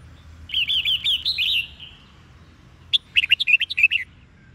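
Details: Red-whiskered bulbul in the Sông Kôn style, used to push newly caught birds to sing: a sustained wavering whistled phrase, then after a pause a rapid string of eight or so sharp bubbling chirps.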